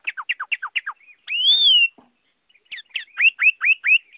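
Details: Chinese hwamei (Garrulax canorus) song: five quick paired downslurred notes, a long loud pure whistle, a brief pause, then four bright rising upslurred whistles in rapid succession.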